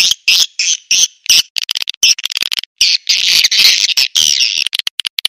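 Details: Lure sound for attracting swiftlets: high, harsh twittering chopped into short uneven bursts with brief silences between, some longer buzzy stretches near the middle.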